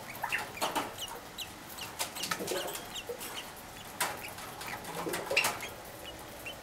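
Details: Two cherry (sakura) Java sparrow chicks, aged six and four days, beg for food in the morning with rapid, thin, raspy chirps in irregular bursts, some rising high and squeaky, over a soft hiss.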